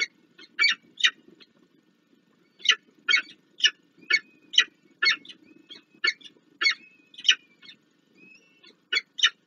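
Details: Nesting peregrine falcons in Warsaw, Poland, recorded on 26 April 2024 as prey is delivered and the young chicks are fed. Short, rasping call bursts repeat roughly twice a second, with thin drawn-out whines between them.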